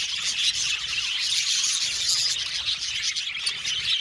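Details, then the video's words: Captive budgerigars in a colony aviary chatter loudly, many high chirps and scratchy squawks blending into a constant, busy twitter. "Beautiful budgies chirping sound"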